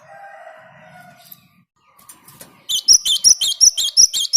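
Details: Java sparrow in lively song, meant to prompt other birds to sing: after lower drawn-out harmonic calls and a pause, a fast run of bright, high, ringing notes repeated about three times per second.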